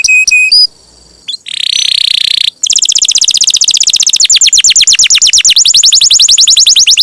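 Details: Canary in full, vigorous song, used as a lure to stimulate other canaries to sing: a few short high whistled notes, a brief harsh buzzy burst, then a long, fast, high-pitched trill of repeated rapid sweeping notes.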